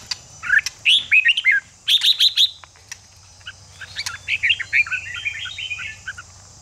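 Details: Red-whiskered bulbul song played to stimulate fighting spirit: repeated bursts of slurred, bubbling whistles and clusters of rapid bright chirps, with brief pauses between phrases and a continuous high hiss in the background.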